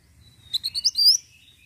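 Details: Ashy tailorbird song played as a lure: a quick run of about six sharp, high chirps rising toward a brighter, sweeping final note, all within one second, over faint low background rumble.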